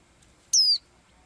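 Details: Little blue-eyed bird that sings every day gives one sharp, high whistle. The note glides steadily downward for about a quarter second against near silence.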